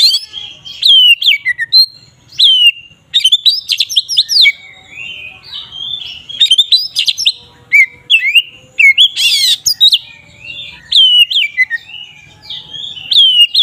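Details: Oriental magpie-robin singing ngeplong song to provoke rival magpie-robins: long varied performance of crisp whistles, rapid clicky chatter runs and slurred notes, with one harsh rasping burst late on.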